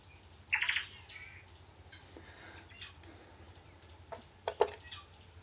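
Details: On an African overland trip, a call at first unrecognised, then identified as a guineafowl: one brief, harsh rasping burst, followed by faint chirps, a few sharp clicks and a low background rumble.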